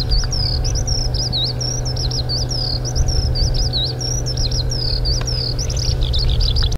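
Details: A Eurasian skylark singing passionately on the ground pours out a fast, unbroken stream of high, warbling and chirruping notes, over a steady low rumble like distant traffic or wind.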